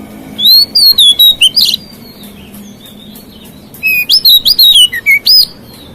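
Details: Song of a white-rumped shama that provokes other shamas: two energetic bursts of clear whistled slides, high chips and short buzzy notes, with a quiet spell between.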